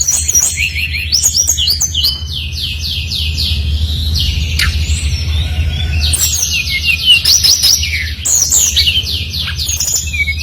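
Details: Brown-chested jungle flycatcher singing actively, played as a lure to set other birds of its kind singing; dense run of high, fast whistled and slurred notes with sharp clicks, continuous through the passage, low background rumble.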